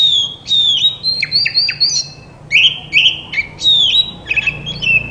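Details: Oriental magpie-robin singing a song meant to coax silent birds into answering: clear whistled notes that slide down and up, mixed with quick chirpy flourishes in a rapid, lively sequence.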